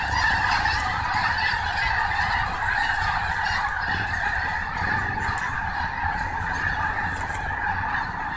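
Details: Snow geese at Snohomish, a dense continuous chorus of many honking birds, overlapping nasal calls merging into a steady din with no pauses.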